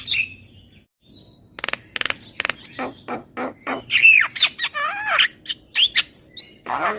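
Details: ['Asian pied starling singing a varied phrase mixing loud rasping bursts with clear, slurred whistles, some rising and some falling, delivered at a lively, irregular pace.']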